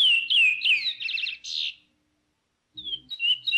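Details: A Chestnut-bellied Seed-Finch (curió) sings the "praia" song style: clear, slurred whistles, a quick stuttering trill and a buzzy note, then pauses about a second before resuming its whistled phrases.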